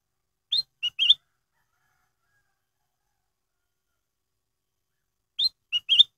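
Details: Black-headed bulbul giving a clear lure song for triggering other birds' singing. The same short three-note whistled phrase sounds twice, about five seconds apart, each ending in a trilled, slurred note. Silent background.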